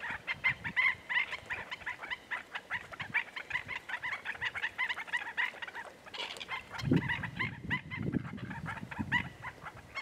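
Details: At Goldwater Lake in Prescott, Arizona, one May 14, 2017 morning, a Black-necked Stilt gives loud, dense, excited yapping notes in quick succession, captured on a Canon VIXIA HF R600, with a burst of low thumping noise partway through.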